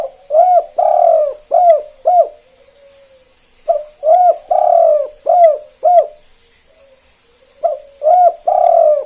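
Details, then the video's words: Tekukur or spotted dove of the 'kuk 2' type, calling to provoke other doves: repeated deep cooing phrases of short hoots and a longer hoarse coo, three phrases in about nine seconds with brief pauses. "Tekukur KUK 2 Gacor satu ini AMPUH Banget Pancing Derkuku Lain Biar Ikut Bunyi"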